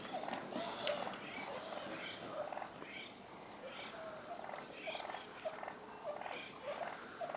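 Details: Fighting wild turkey toms, with other males acting ready to fight, in Willits, Mendocino County, California. Irregular clucking, purring bursts about twice a second, preceded by a brief high trill from a small bird.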